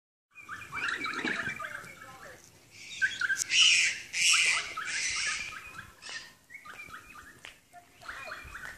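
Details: Several noisy kakas, native parrots, on Stewart Island, New Zealand, give harsh, rasping screeches mixed with short nasal repeated notes. The calls come in irregular bursts, loudest in the middle, then trail into scattered squawks.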